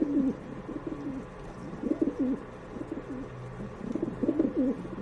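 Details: Pigeons coo in repeated low, burbling phrases, each a rolling throaty note about half a second long, coming roughly every second with a faint low hum underneath.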